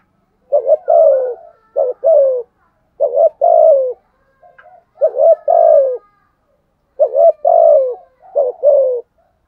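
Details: Decoy spotted dove cooing to lure and provoke wild doves. About six low, husky phrases in groups, each beginning with a brief stutter and ending in a drawn, descending coo.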